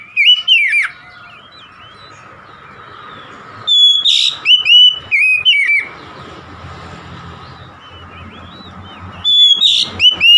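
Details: Caged oriental magpie-robin delivering short bursts of loud, clear whistled phrases with quick slurred notes, separated by long quiet gaps filled with low hum and faint background noise.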